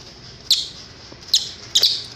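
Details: Cililin song in a master recording for training cage birds; three short sharp high chirps spaced under a second apart over faint background hiss.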